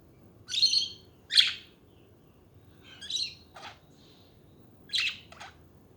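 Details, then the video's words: Budgerigars chattering: short burbling, buzzy chirps around the upper-middle range, some in quick pairs, separated by brief pauses over a quiet background hum. "Hours of chatting budgies to relax study and chill"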